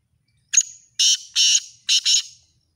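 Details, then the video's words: Black francolin (kala teetar) calling in the style used for chakri calling tournaments: a short sharp note, then four harsh, buzzy, grating notes in quick succession, the last two almost joined. No other sounds. "KalaTeetarAwaz|Black Francolin style For Chakri|Black Teetar voice"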